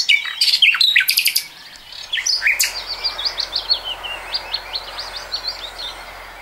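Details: Nightingale song from 2020 opening with loud, rapidly repeated sharp notes, then continuing as a quieter run of evenly spaced chirping notes.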